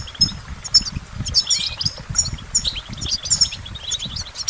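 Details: Goldfinch delivering sparse high chirps and short twitters spaced through the recording, with low background rumble.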